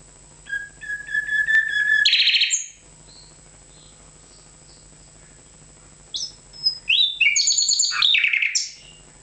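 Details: Nightingale singing a phrase of evenly repeated clear notes that speeds into a loud rich burst, then a pause, then a second phrase of sharp high whistles and tumbling warbles; a faint low hum runs beneath.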